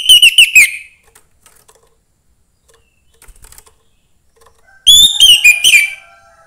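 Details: Orange-headed thrush, young and taken from the forest, sings two brief bursts of quick, tumbling whistled notes several seconds apart, with a faint soft sound between them. The song is meant to stir other thrushes.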